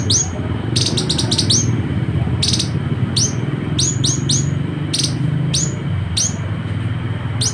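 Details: Citrine canary-flycatcher (Culicicapa helianthea) from West Sulawesi, used as master song for competition birds: very high, thin notes in rapid clustered bursts, repeated every second or so, over a steady low rumble of distant traffic.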